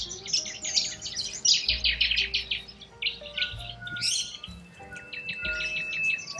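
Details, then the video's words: Wild corella cockatoos in Australia screech in harsh, scratchy bursts, several birds calling over one another about three times a second, over soft background music. "WILD Corella Cockatoos"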